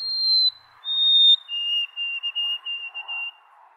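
White-throated Sparrow singing its pure whistled 'oh sweet Canada Canada': two long clear notes stepping down, then a quick run of repeated lower notes over faint background hiss.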